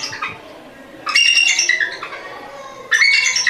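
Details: A real eagle giving its call: two bursts of shrill, squealing whistles with quick downward slides, about two seconds apart.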